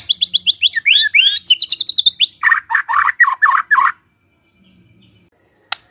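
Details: White-rumped shama morning song used to spur a quiet bird to sing: a fast series of high chattering notes, then a run of lower, fuller trilled notes, ending in silence and a single click.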